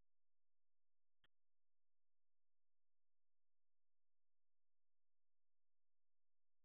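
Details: Near-total silence broken only by a single brief click.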